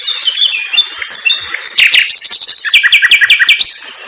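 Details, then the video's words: An aviary-kept common nightingale in energetic song, dropping whistled notes giving way to a quick run of repeated downward-swept notes fired in close succession. "KICAU SUARA BURUNG SIKATAN LONDO GACOR DOR TEMBAKAN RAPAT"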